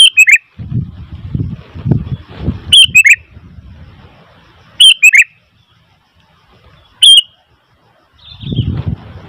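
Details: Sooty-headed bulbul calling noisily, loud three-note bubbly phrases repeated at uneven intervals, four phrases in all, over low thumping and rumbling noises, with a softer warbled note near the end.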